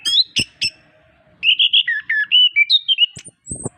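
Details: Orange-headed thrush song used to stimulate reluctant birds: a few sharp opening notes, a pause, then a flowing series of clear whistled phrases around the middle pitch with high thin notes at the end.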